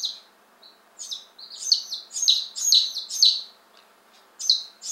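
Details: Day-old chicks, Appenzeller Spitzhauben and White Crested Blue Polish, just arrived, fifteen in all, recorded May 19 2015: high shrill peeps, some falling in pitch, in bursts of several with short gaps.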